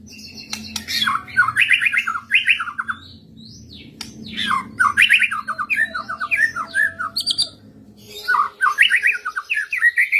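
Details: White-rumped shama joining in after being lured with a master recording; repeated bursts of melodious warbled phrases and sharp high notes over a steady low hum.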